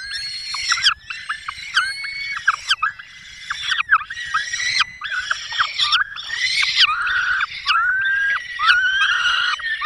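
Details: Peregrine falcons at a nest in the Barycz Valley, Poland, on 5 May 2022, the female feeding chicks with a small bird brought by the male: loud, harsh wailing calls repeated in bursts about every second.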